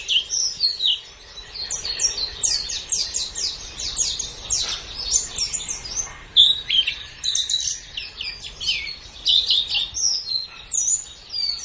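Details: White-eye chattering nonstop in a master recording for training songbirds: a long, busy stream of high, sharp chirps and downward-sliding whistles delivered in fast clusters, with a few brighter pure notes.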